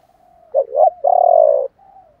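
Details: Spotted dove cooing in the 'chiêu ba hậu' style, used to stimulate other doves to sing: a soft low lead-in, two quick bouncing notes, then one long sustained mellow coo and a faint trailing note.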